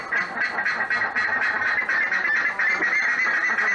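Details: Buff-necked ibis from the Pantanal giving loud, harsh, nasal honking calls in a nearly continuous overlapping run, several voices seeming to call together over a faint background hiss.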